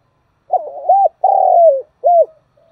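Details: Spotted dove decoy calling to attract wild doves, a single clear phrase: a rough, stuttering start, an arched coo, a long sliding coo and a short arched coo, with a faint trailing murmur.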